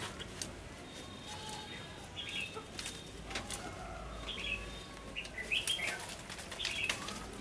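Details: Red-whiskered bulbul giving fighting song at a trap set with a lure bird, recorded 3 January 2016; short bright warbled phrases, clearest toward the end, over sharp clicks and a faint low hum.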